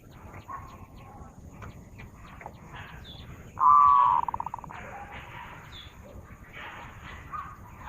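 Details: Zebra dove song played to lure birds, a single loud sustained coo breaking into a rapid stutter of short notes that die away, with faint chirps from other birds before and after it.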